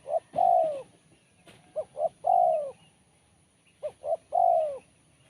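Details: Sharp, crisp 'kuk 1' spotted dove song: a long coo, then two more phrases of paired short notes each ending in a drawn-out descending coo, with faint bird chirps behind.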